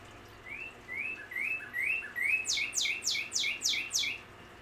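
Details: Singing male northern cardinal heard outside in a backyard, giving a string of rising whistles that accelerate into about six loud, steeply falling slurred notes, repeated rhythmically; quiet ambient hum behind.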